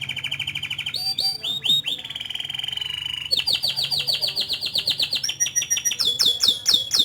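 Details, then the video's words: Canary in long, continuous song: a fast rolling trill, then rapid chattering notes, a sustained run of quick repeated high notes and bright whistled phrases, many notes per second, loud and unbroken. "Suara Burung Kenari Gacor Panjang Cuit Cuit Teerrrr"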